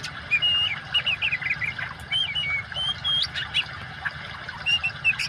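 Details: Oriental magpie-robin, singing loudly, combined with water sound as a training aid for birds that have gone quiet: clear level whistles and twisting slurred phrases, loosely spaced, above a continuous hiss of flowing water.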